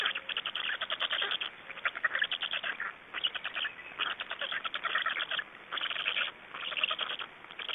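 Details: Black stork nestlings during a feeding at the nest in Estonia, 26 May 2012, producing loud, hoarse, rapidly pulsed begging bouts in several bursts with short silences between them.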